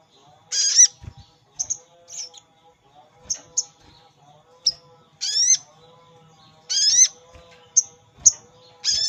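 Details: Wild-bird lure of a sogon calling a rival: loud, harsh squawks that slide downward, mixed with short high chirps and spaced irregularly, over a faint steady low tone.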